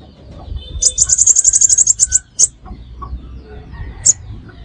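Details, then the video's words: Crimson sunbird calling as a trapping lure, giving one fast, very high buzzy trill of about fifteen notes, then a couple of isolated sharp chips over a noisy low rumble. "Tiếng Hút Mật Xác Pháo Mồi Chuẩn Nhất 2025 - Bẫy Là Dính - The Sound Of Birds Sucking Nectar"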